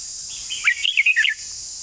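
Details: A single bright, fluty phrase from a red-whiskered bulbul, several quick musical notes rising then dropping, set against a steady high insect whine.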